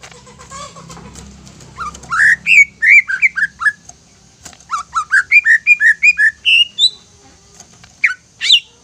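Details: Greater green leafbird lure song meant to provoke other leafbirds into agitated, prolific singing: a run of clear whistled notes, each sliding through a mid-high pitch, delivered in quick uneven bursts with brief pauses.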